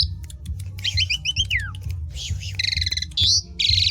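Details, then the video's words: Singing Asian pied starling, song meant to encourage less active birds to sing: a rapid series of looping whistled notes sliding downward, then dense buzzy rattles and a sharp squawk, with a constant low-pitched hum underneath. "PANCINGAN JALAK SUREN UNTUK BURUNG KURANG GACOR"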